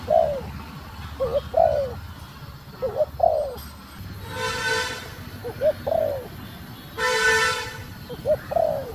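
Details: Calling female spotted dove urging a male on, giving paired mellow coos, a brief note then a drawn-out falling one, in an uneven series, with two short bursts of broad hissing noise midway.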